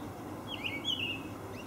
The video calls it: Olive Thrush call